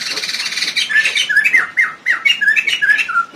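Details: An agitated Javan pied starling in an aviary, paired for breeding and nest-building, on a morning visit, opens with harsh, raspy squawks, then a quick run of short downslurred whistled notes, about three per second.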